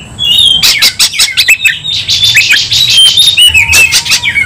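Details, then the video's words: White-rumped shama in fighting song, harsh buzzy rattles interleaved with thin whistles and quick chattering notes, steady high-pitched outpouring. "kacer langsung KONSLET tarung ngotot full emotional"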